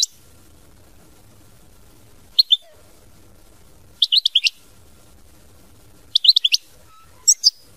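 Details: European goldfinch, mama binette style song: short, scattered clusters of three to five high, sharp chirps, separated by silent gaps of about two seconds.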